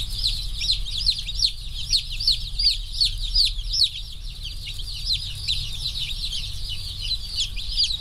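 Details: Crowd of 1040 newly arrived slow-growth broiler chicks peeping nonstop, high thin notes tumbling over each other several times a second, over a low steady background hum.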